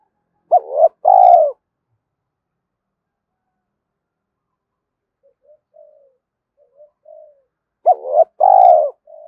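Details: Spotted dove calling: a clear two-part coo opens, then soft, faint murmuring notes fill a long quiet stretch before the coo phrase returns near the end.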